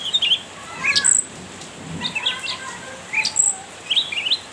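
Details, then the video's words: Cucak ranting chattering to goad a rival. Bright high chirps and squeaky twitters come in short bursts of three to four notes, separated by brief pauses, with faint lower notes behind them. "Burung cucak Ranting gacor nyrecet menggoda lawan"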